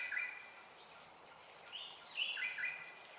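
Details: Just-fledged Crimson Sunbird chick in Singapore, calling at regular intervals to let its parents know where it is while its mother comes to feed it. Short sweet chirps come in small clusters, some with falling notes, over a constant high insect drone.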